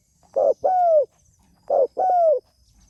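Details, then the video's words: Two paired coos from a spotted dove calling to others, each a short soft note followed by a longer, smooth falling coo, about 1.3 seconds apart, over a faint high background hiss. "Suara Burung Tekukur Gacor Memanggil Temanya"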